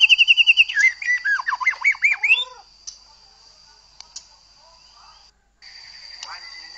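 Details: White-rumped shama song, played to stir another shama into full singing: an opening run of quick repeated high whistles, then looping slurred notes swooping up and down, fading into a quiet stretch with a few faint chips.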